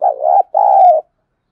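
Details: Decoy spotted dove calling to provoke cooing: a wavering low coo, a brief gap, then a longer even hooting note that fades cleanly into silence.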